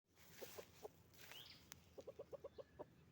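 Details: Roosters and hens on a chicken farm: short low clucks, a pair then a single, followed by a quick run of seven evenly spaced clucks, with a faint rising chirp and a sharp click between them.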